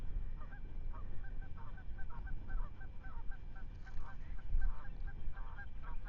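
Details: Ospreys at their nest at Manton Bay, filmed by a live webcam on 10 May 2025: a rapid series of short, sharp whistled chirps in bursts, over a strong low rumble of wind.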